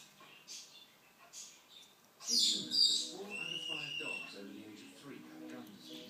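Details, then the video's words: Female African grey parrot indoors, running around the floor and chatting to herself: soft murmured chatter, then a sharp squeak and a steady high whistle, followed by low speech-like babble, with a person speaking nearby. "African Grey Parrot Talking"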